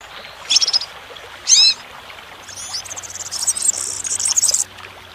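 European serin singing: a very high, glassy jingle of rapid buzzy twitters that runs on for about two seconds after a few short opening notes, over a faint low hum.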